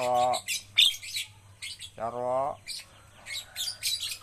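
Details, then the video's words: Javan myna under training to sing often: nasal harmonic squawks alternating with bursts of harsh scratchy chatter and a brief high whistle, recorded close with a soft low hum underneath. "melatih jalak kebo agar cepat gacor"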